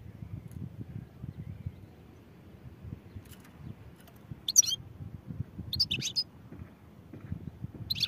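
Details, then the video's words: European goldfinch giving brief, high twittering bursts, three short phrases in the second half, above a low background hum. "goldfinch songs | goldfinch singing"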